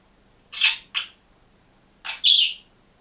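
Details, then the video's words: Green budgerigar kept alone in a cage, singing and chirping: two short harsh chirps, a pause of about a second, then a louder double chirp with a bright, squeaky upper tone. The room is otherwise quiet. "МИЛЫЙ И ЗАБАВНЫЙ ПОПУГАЙ ПОЕТ И ЧИРИКАЕТ"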